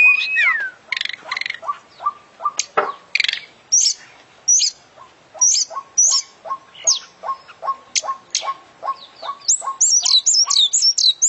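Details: Oriental magpie-robin, an international champion bird, singing a full 'isian' song in 'gacor' style: a rising whistle, then varied sharp chirps and high twittering over a steady series of short low notes repeated about twice a second.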